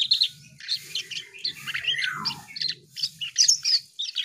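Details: Asian pied starling song mixing scratchy chatter with a long falling whistle near the middle, then rapid high squeaky notes; low-pitched background rumble throughout.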